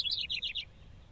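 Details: House wren singing a brief burst of quick, chattering notes, four or five rapid bubbly phrases repeated in the first half second, then fading into quiet background.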